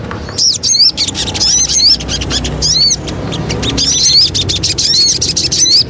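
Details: Javan cochoa lure song: loud, fast high chattering with sharp rising and falling whistled notes, bursts of clicks and short trills, over a low steady background hum.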